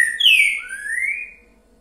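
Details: Boiadeiro-style phrase from a green-winged saltator: a strong falling whistle followed by a long, smoothly rising slurred whistle that fades out, with near silence behind.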